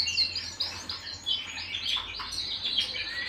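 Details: Canary singing indoors at home, a dense burst of rapid chirps and warbled trills, high and bright, rising and falling in quick bubbling phrases with no pause, over a faint low hum.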